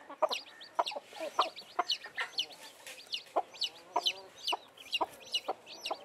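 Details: Freshly hatched chicks with their blackish mother hen chirp constantly, with sharp, high, falling peeps tumbling over each other, mixed with occasional deeper clucks.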